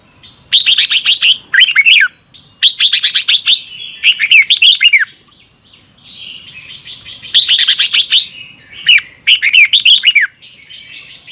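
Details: Red-whiskered bulbul singing morning training song, fast and fiery with double-twisted voice; loud paired bursts of buzzy, rapid notes followed by falling slurred whistles, repeated in groups with brief gaps.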